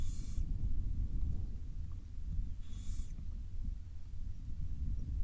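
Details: Wild barn owls, a family with young, in Israel: two short rasping hissy bursts about two and a half seconds apart, set against heavy low-pitched rumble.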